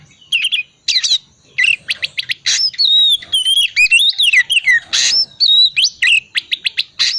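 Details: Oriental magpie-robin in ngriwik wiksar twittering style, used as a lure for quiet, cold-type birds to start singing: rapid, varied run of sharp whistles, chirps and rising and falling slurred notes, densely packed with brief pauses.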